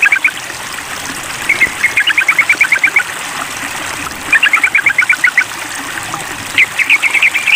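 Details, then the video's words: Sooty-headed bulbul in a mental test, calling a rival: three long strings of fast, sharp double-noted chirps, each string around ten notes, over continuous water-like hiss. "Tes Mental Trucukan Memanggil Lawan"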